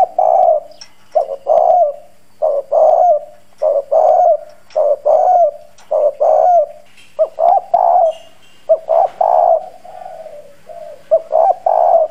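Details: Decoy spotted dove cooing forcefully in a husky, hoarse country voice to excite and draw in wild doves: a long run of low, throaty coo notes, about fifteen bursts, some drawn out, others clipped and quick.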